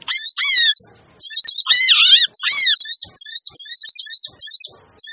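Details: Noisy sogon (sogok ontong) bird lure recording for attracting wary birds: high, hissing chatter with a few looping whistled notes, in bursts separated by brief silences.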